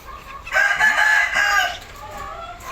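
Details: Hornbill uttering one long, hoarse, braying call of just over a second, rough and broad in tone, with a person's voice beckoning the bird in before it.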